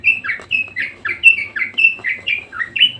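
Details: Insistent budgerigar singing as a regular series of short, clear chirps, each dipping and rising, repeated about four times per second.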